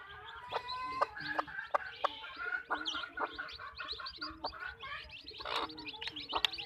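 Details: Hens in a backyard chicken farm clucking in a busy flock: rapid, throaty clucks at irregular intervals, some drawn out into short nasal notes, with constant high chirping from small birds behind.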